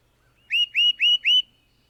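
Tufted Titmouse singing four clear, rising whistled notes, a quick peat-peat-peat-peat at about four per second, with a quiet background.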